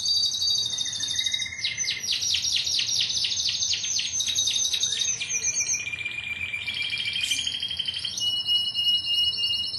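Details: A Timbrado canary of a 2009 team line sings rapid descending strokes into a fast rattle, then lower rolling trills and a high steady buzzing trill, phrases shifting without pause.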